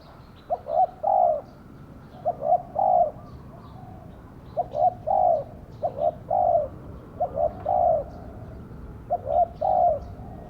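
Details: Caged spotted dove set out as a lure for wild doves repeats its deep coo phrase about six times: two short soft notes then a longer rounded coo, evenly spaced.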